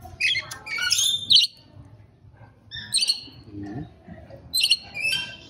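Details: Rainbow lorikeet giving shrill, piercing screeches with ringing overtones in three bursts spaced about two seconds apart. Softer chatter fills the gaps.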